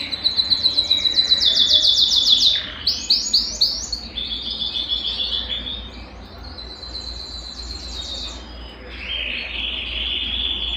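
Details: Belgian canary song to stir a cold canary: a fast high rattling trill, then slower rolling notes, varied warbling phrases and a lower steady tone at the end.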